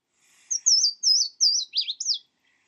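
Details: A male Louisiana Waterthrush sings on its breeding grounds, as males do almost non-stop until mated: three or four loud, high, slurred whistled notes, then a quick jumbled twitter, all within about two seconds.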